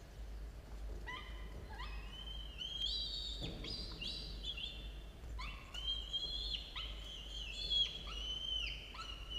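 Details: Falcon chicks aged 17 and 13 days at the nest, 6:02 a.m., 27 October 2022; repeated harsh, harmonic wailing calls that start with a sharp onset and slide downward, coming in clusters over nine seconds, with low hum underneath.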